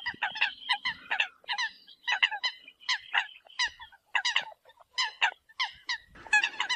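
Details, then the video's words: Eurasian coot contact calls meant to gather the flock: repeated short, reedy honking notes in uneven clusters, with a faint rustle near the end. "Tiếng sâm cầm gọi đàn"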